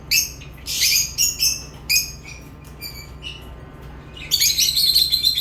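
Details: Lovebird chirping: rapid, shrill squeaky notes in quick clusters, a quieter stretch of faint chips, then a loud dense burst of high chattering at the end over a low background hum.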